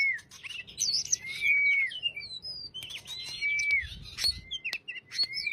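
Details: Caged Oriental magpie-robin singing a lively chattering lure song meant to prompt a silent bird to sing without frightening it; varied whistles, slurred rising notes, squeaks and scratchy phrases in quick succession, clicking sounds between.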